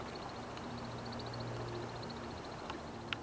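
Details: Male American Woodcock performing its aerial mating display; a faint, rapid series of high, thin chirps runs steadily across the clip, over a low hum and a few soft clicks.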